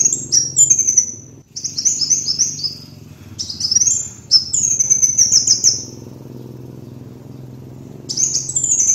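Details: Sunbird (kolibri wulung) lure recording: rapid high twittering phrases, each sliding downward, several bursts in a row, then a longer pause before singing returns; low hum underneath.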